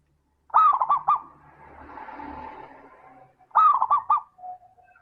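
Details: Zebra dove (perkutut) singing a 'crystal'-voiced lure to stir lazy doves: two bright, bouncing coo phrases separated by a stretch of soft hiss and murmuring background.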